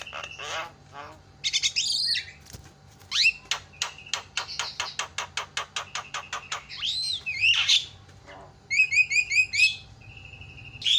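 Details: Javan myna calls played to provoke lazy mynas into calling: harsh squawks, a fast series of clicking pulses, and bright whistled upslurred notes repeated in rapid bursts.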